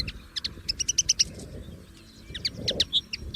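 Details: Wild common linnet in song, free in nature, giving quick runs of sharp clipped chirps, then a pause and a further burst of twangy whistled notes, with low background rumble.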